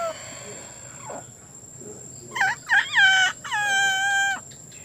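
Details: A rooster crowing from a rooftop near green rice fields, which the owner says makes noise every night: a few quick, harsh rising notes, then one long, held, strained note, over a thin, steady high whine.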